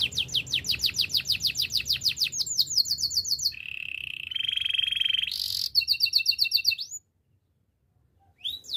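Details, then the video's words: Training song from a Belgian canary: rapid repeated descending chirps, a lower buzzy rolling trill, a short high burst, more quick notes, then a brief silence before song resumes. "Canary training song - Belgian canary singing"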